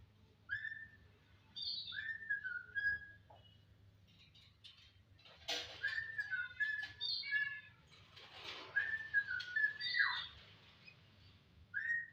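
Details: Jalak (starling) singing a charming song: clear whistled notes near the middle register, some slurred downward, mixed with harsher chattering bursts and rapid varied phrases, with a faint low hum underneath.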